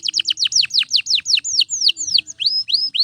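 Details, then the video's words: Canary singing nonstop for training: a rapid chain of sharply falling whistles, then longer arched and rising slurs, clear and high with a soft hum behind. "Canto de Canário Gritando Sem Parar – Ideal para Encorpar Outros Pássaros!"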